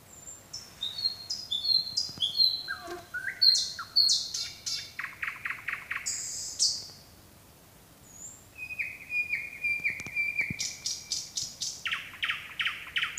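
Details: Nightingale in nocturnal song, highly varied: thin whistles, a churring phrase, quick rattled runs, a silent gap, then a long steady whistle leading into a fast burst of repeated notes.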